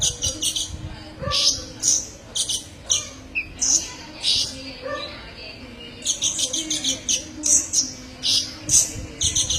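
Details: Sunbird called kolibri ninja, recorded for tutoring cage birds: an energetic mix of rapid high rattles, sharp piercing chips and occasional lower sliding whistles, nearly continuous.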